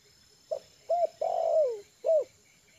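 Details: Tame trained spotted dove at ease on the ground, used for lure calling, gives one low cooing phrase: a short note, an arched coo, a long drawn coo sliding downward, then a final arched coo, over a steady high electrical whine.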